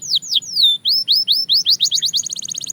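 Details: Belgian canary song from a training recording: a run of high whistled notes sweeping downward, then upward-slurred notes that speed up into a fast, even trill near the end.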